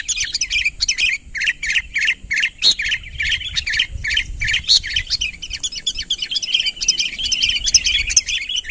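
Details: Sooty-headed bulbul in full voice challenging a rival to come closer; evenly spaced clipped chirps at first, speeding into a continuous bubbling chatter of slurred notes toward the end.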